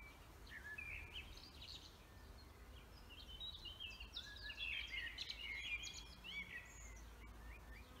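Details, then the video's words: Birds in a forest sing a busy mix of twittering and whistled phrases, growing denser and louder in the middle, with distant chirps and low background rumble. "Vogelgezwitscher Bird songs"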